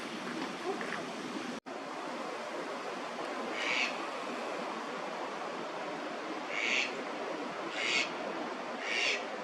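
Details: Eastern spot-billed duck in a Tokyo park waterway, May, calling often during incubation season: four short, bright, harsh notes at irregular intervals in the second half, over steady rushing water.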